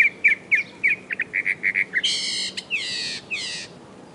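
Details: Northern mockingbird mimicking phrase after phrase: slurred whistles, a row of short piping notes, then harsh buzzy rasping notes that fall away.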